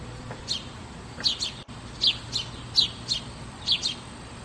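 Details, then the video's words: House sparrow song: short doubled high chirps given about every half second, with a faint low hum and one brief knock in the background. "Som de Pardais ┃Pardais Cantando"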